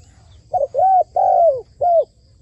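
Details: Captive decoy spotted dove in training, kept on a roof for dove trapping, giving a low hooted coo phrase: a short double note followed by two long, slightly falling coos and a final shorter coo, with quiet background.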